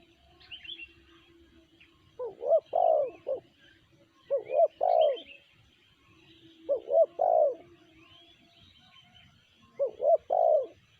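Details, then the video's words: Four cooing phrases from a spotted dove of sanji song style, each two or three short rising hoots ending in a longer rounded coo, repeated roughly every two to three seconds, with faint chirps of small birds. "Tekukur BL suara sanji"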